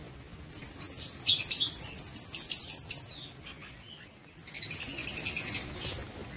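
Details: Lovebirds kept in an aviary, 19 September 2023, give a fast run of shrill, evenly spaced chirps, a brief pause, then a second rapid series of high squeaky notes.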